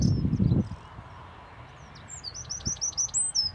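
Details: A bee-eater at Land's End on 24 April 2010 gives a quick run of about eight short, high chirping notes in under two seconds, after a low thump at the start.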